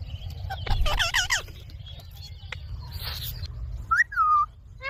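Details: Baby rose-ringed parakeet, a young green ringneck parrot, giving bursts of harmonic chirps and squeaky calls, then a short sliding whistled note near the end, over a steady low hum.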